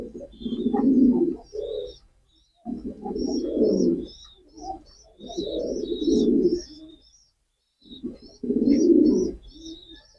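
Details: Male pigeon cooing in four low, throaty bursts spaced by short silences, with thin high chirps of small birds twittering above throughout.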